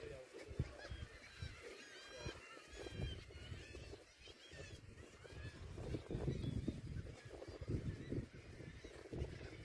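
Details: Several herring gulls at the seaside give harsh, honking cries that overlap in a steady chorus over a low roar of wind and surf.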